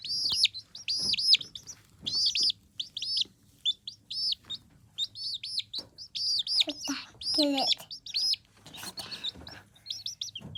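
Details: Young chickens give a busy chorus of shrill, downward-sliding peeps in clustered bursts with brief pauses, one lower, wavering call near the end, and a faint constant hum underneath.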